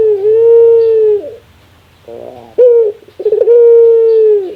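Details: Puter dove in its rare laughing call: a long smooth level coo, a pause with soft pulsed notes, then a sharp note and stuttering chuckle leading into another long coo.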